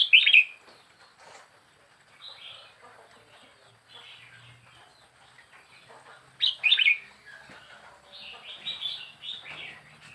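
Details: Young wild red-whiskered bulbul kept caged for four weeks sings short, bright, slurred whistled phrases in separate bursts at the start, middle and end, with quieter chirps and faint rustling between them.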